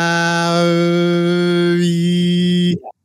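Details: A steady, buzzing drone with a strong low fundamental and many even overtones holds for nearly three seconds, then cuts off abruptly; no animal sound is heard.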